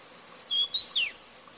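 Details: A Daurian redstart (Phoenicurus auroreus) at Buluowan, Hualien, Taiwan, dated 21.02.15, gives one thin, high whistled call that holds level, lifts slightly, then slides down sharply, over faint background hiss.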